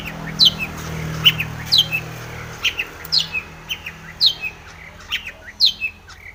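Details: Long-tailed shrike, locally cendet, singing to provoke another bird: spaced sharp high downslurred whistles, some in pairs, about every 1.5 seconds, over faint low hum.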